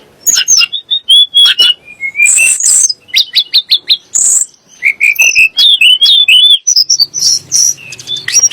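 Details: Tledek gunung, the Sunda blue robin, singing to stir up kacer and muri birds. Clipped high notes and scratchy bursts give way to looping whistled phrases, delivered nonstop.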